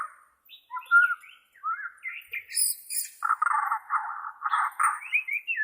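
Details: Bornean white-rumped shama for therapy of caged shamas: varied short whistles and slurs lead into a repeated rolling, rattling phrase, ending in high twitters.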